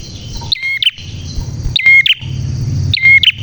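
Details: Clear bar-winged prinia song made of short downward-sliding whistles that end in a bright note and sharp clicks, repeated about every second and a quarter, with low rumbling in the background.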